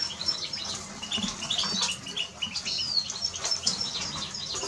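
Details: Soft, high Eurasian siskin twittering, quick thin chirps and a short slurred whistle near three seconds, over rustling and tapping noises.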